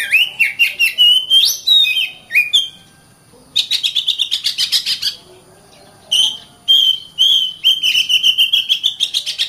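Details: Lively oriental magpie-robin singing in phrases: swooping, warbled whistles, then a fast chattering series of repeated notes, a pause, and more clear rising whistled notes.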